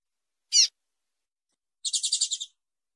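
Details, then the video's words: A female Double-collared seedeater calls to stimulate male song: one sharp high chip, a pause, then a short buzzy trill of about eight rapid pulses. "PIADOS MACHEADOS FÊMEA DE COLEIRO"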